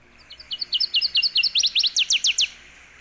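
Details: Northern Waterthrush (Parkesia noveboracensis), a 15 cm migrant at Sonso Lagoon near Buga, Colombia, sings loud, sharp, high downslurred chips that speed up and grow louder, about a dozen notes in two seconds, over a quiet background.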